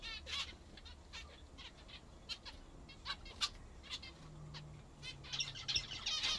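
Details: Kept zebra finches at their favourite food make sparse, nasal, toy-trumpet beeps spaced irregularly, growing into a busier cluster near the end, over faint background hum.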